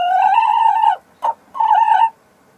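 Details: Sussex hen calling while laying an egg: a long, drawn-out nasal note, a short clipped note, then another sustained squawking note, in a quiet setting.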